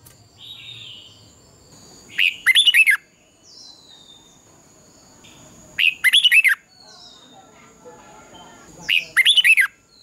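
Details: Dawn competition song of a Red-whiskered bulbul, used as a lure for training: three matching phrases of rapid, rich warbled notes, repeated roughly every three and a half seconds, with quiet gaps between.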